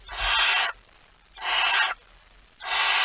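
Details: Shortly after midnight on 23 September 2019, a barn owl at its nest with prey gives long, noisy, breathy screeches of about 0.7 seconds, three in a row, after a low thump.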